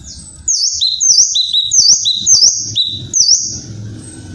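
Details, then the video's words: Loud kinoi call from a tropical bird: a series of high, slurred dipping notes paired with lower flat tones, repeated rapidly, with low background rumble between phrases. "Suara cadas burung kinoi"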